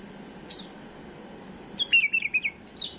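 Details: Tame bulbul singing a flawless song used for tutoring young birds: a short, fast run of clear warbled notes stepping downward, with a few isolated chirps before and after over a steady background hiss.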